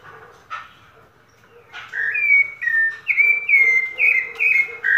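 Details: Rufous-bellied thrush singing: after a quiet start with a brief note, a series of clear whistled phrases begins near two seconds, each short and slightly falling or level, repeated steadily in a rich fluting run.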